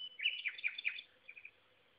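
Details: Common nightingale singing in the afternoon near the small town of Szentsimon, recorded on a phone during a bike ride. A tinkling phrase of quick, varied chirps and slurred notes, then a softer run of short repeated notes before it fades.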